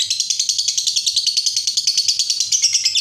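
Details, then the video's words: Lovebird long ngekek trill, sung to spur other lovebirds into singing: a fast, even, high chattering with about three pulses per second over a faint low hum, continuous throughout. "Berkat Pancingan SUARA BURUNG LOVEBIRD INI, Labetmu dijamin GACOR tak lagi Malas DIAM MEMBISU"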